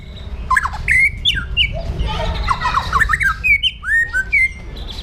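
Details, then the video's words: Harsh, aggressive 'pastol jahat' song from a white-rumped shama, used for training other birds, mixing loud whistles, scratchy squawking chatter and looping slurred notes at a hurried pace. "PASTOL JAHAT MENTAL BAJA | MASA DEPAN CERAH | SHAMA BIRD"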